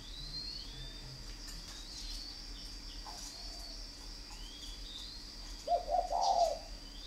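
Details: Spotted dove of the fighting type, from a bird garden in Ba Vì district, Hanoi, northern Vietnam: one short, low, throaty cooing phrase near the end, over steady background hiss, with faint thin chirps of other birds higher up.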